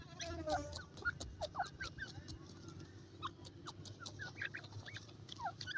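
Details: Silver pheasant calling: a run of short, sharp chirps and clucks, many sliding downward, repeated irregularly through the clip over a steady low background hum, with faint scattered clicks.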